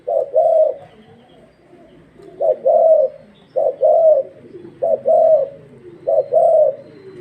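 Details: Caged spotted dove of the Thai dragon-pattern type, kept for voice training, giving low cooing phrases: a short coo followed by a longer rolling one, repeated about every one and a half seconds.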